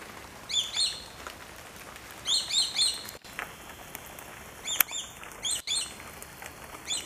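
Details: Swallow-tailed kites calling overhead in flight, a rare large gathering; clear, high whistled klee notes falling in pitch, given in rapid groups of two to four, several groups in succession over soft hiss.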